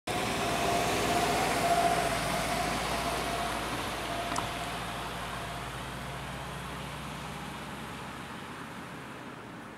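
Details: An idling vehicle engine drones with a steady mid-pitched tone and a single sharp click midway, no animal voice present.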